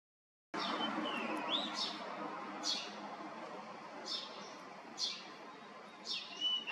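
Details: Male blue rock thrush on Yanagishima coast, Chigasaki, Kanagawa, Japan, on the morning of 17 May 2023, gives love calls while brushing away bugs: short, high, slightly rasping notes about once a second, thin whistles, background hiss.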